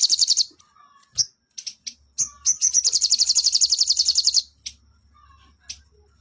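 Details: Sooty-headed bulbul in lively fill-in song: an opening burst of rapid high notes, scattered single chirps, then a long, fast, even trill of about two seconds, followed by isolated chirps.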